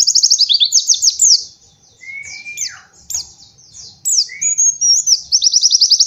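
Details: White-eye master song used to train young birds in the rapid 'nembak' style: fast high trills and chattering phrases, broken by a long clear whistle sliding downward near the middle and a short whistle later, then more bursts of rapid trills.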